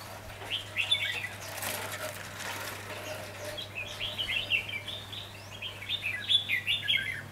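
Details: Red-whiskered bulbul (chào mào) with fighting spirit, recorded during trapping on 4 October 2016: bright, warbling chirped phrases in short bursts, with a flurry of wingbeats early on and a steady low hum underneath.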